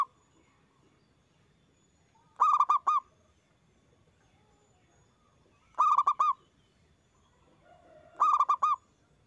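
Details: Zebra dove (local perkutut) with a strong voice, a lure recording to set other doves singing: three phrases of four staccato resonant coos, about three seconds apart, over quiet background.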